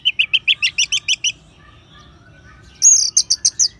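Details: Orange-headed thrush ngeban song used as a singing stimulus for caged birds: a steady series of about eleven paired chirps, a soft quiet interlude, then a louder faster run of very high chirps.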